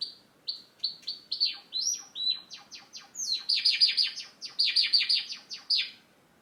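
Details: Hand-tame pet Java sparrow, caged and watching its owner, bursts into song as the owner rises to go: quick high chirps and upward-sweeping whistles that speed into a dense, rattling, buzzy trill before closing on a few clear notes.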